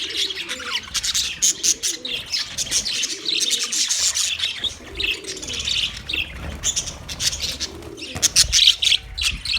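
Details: Budgies recorded on 9 March 2024, a flock chattering nonstop with dense high warbles, chirps and squeaky notes, while soft low dove-like cooing phrases sound underneath.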